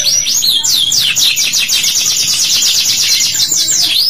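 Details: A canary delivers extended 'cuit cuit' song meant as a lure so juvenile canaries begin to sing. High swooping notes run together into a quick, even trill lasting the whole stretch, ending with a couple of looping calls.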